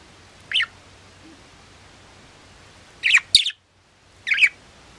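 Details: Pet budgerigar giving three short, sharp chirps spread over five seconds, each a quick bright burst rising and falling, the middle pair close together, over a quiet, low background hum.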